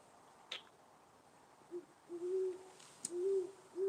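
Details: At night, an owl gives soft, low hoots in a loose series of short, even notes about once a second, with a couple of sharp clicks nearby. Listeners think it is close, perhaps sitting on the wires.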